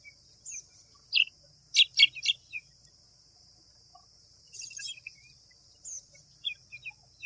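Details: A white wagtail gives a burst of loud, clipped, bright chips in a tight cluster, followed by a quick string of small dotted notes and a few isolated chirps, with a constant high insect hum behind.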